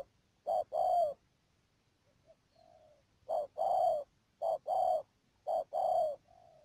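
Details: Trapping decoy spotted dove in Ca Mau, Vietnam, recorded 12 March 2019, giving loud two-part coos in irregular bursts, with fainter, softer coos heard in the pauses between them.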